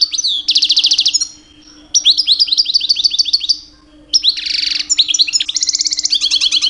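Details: Captive two-year-old European goldfinch male in mating season, singing loud and constantly to attract females; rapid liquid trills and runs of repeated bright tinkling notes, a buzzy rattling passage near the end, low hum underneath.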